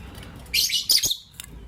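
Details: Lovebirds, a Green Personata and a Pastel White, chirping in the morning: a loud burst of shrill, buzzy high chirps, then a second cluster of sharp squeaky notes, over a low steady background hum.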